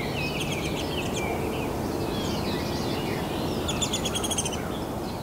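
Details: Nestling downy woodpeckers calling for food from their cavity as parents feed them; quick series of high, buzzy chattering notes early on, then a dense burst of sharp repeated chips later, over constant low rumble.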